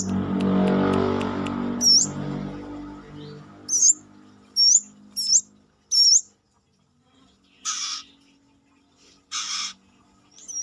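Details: Brown-throated sunbird calling outside the cage after a burst of low noise: clusters of thin, high, hooked chirps, interrupted by a few broad hissy bursts.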